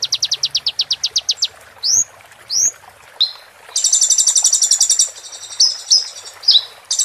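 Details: Roll tembak song of the konin, Van Hasselt's sunbird, used to train a moulting bird. A quick series of rising whistles leads into two curved upslurred notes, then a long buzzy high roll and sharp downslurred notes.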